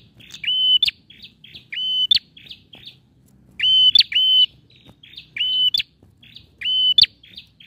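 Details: Lively song of a male bar-winged prinia, played to coax quiet prinias into singing: held, even whistles snapping upward at the end, each trailed by short buzzy chips, about six phrases over low background rumble.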